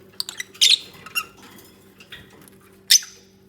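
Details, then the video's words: Pair of lovebirds bonding and nesting, uttering sharp high squeaky chirps and squawks in a quick cluster, then a pause and one loud shrill call. "Peaceful Lovebirds Moments | 20 Min Unedited Natural Bird Sounds"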